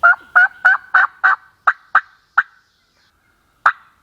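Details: Hunted wild turkey gobbler with eight loud, ringing notes in quick succession, spacing slowly widening, then a pause and one final note.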